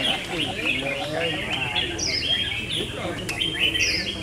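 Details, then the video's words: Red-whiskered bulbuls in a singing battle trade lively warbled phrases and bright upslurred whistles, layered over constant chirping from other birds and faint murmuring voices. "Best Red Whiskered Bulbul Singing Battle"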